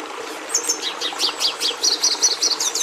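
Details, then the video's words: Red siskin song beginning after a short pause: a high whistled note, then a series of sharp, descending chirps that run into a quick, buzzy trilled sequence. "Canto do Tarim da Venezuela"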